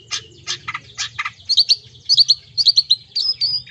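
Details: Long-tailed shrike song, used as sound therapy to get mute or sluggish shrikes singing: a few harsh, scratchy bursts give way to quick runs of sharp, high chipping notes, varied and rapid.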